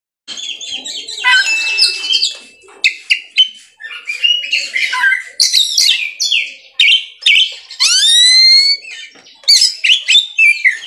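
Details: Caged Oriental magpie-robin (kacer) singing in the ngerol and nembak style: a rich, rapid medley of sharp whistles, buzzy chatters and long upward-sweeping slurred notes, delivered almost without pause.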